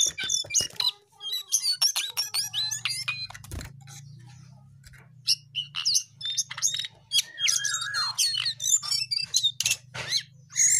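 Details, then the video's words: Jongkangan pouring out a long, busy song of high, clicking chatter and whistled slurs, with one lower descending warble near the end and a steady low hum behind. "Jongkangan GACOR DOOR"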